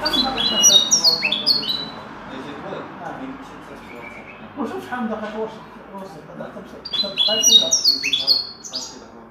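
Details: Linnet taught the goldfinch's song delivers rapid, bright twittering phrases of high slurred notes. A man speaks between them, then the bird returns with another tumbling burst of tinkling notes.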